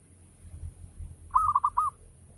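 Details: Zebra dove, local type, singing a 'ngayer' lure song to prompt other doves to call: one phrase of four rolling coos rising out of a steady low background hum.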